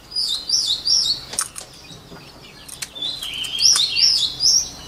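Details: White-rumped shama singing as a voice-training model: two bursts of bright repeated whistled notes separated by a quieter stretch with scattered sharp clicks.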